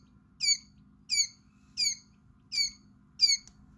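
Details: Quail chick about five hours old exploring a brooder; five loud, high, downward-slurred peeps evenly spaced about every 0.7 seconds over a low steady hum.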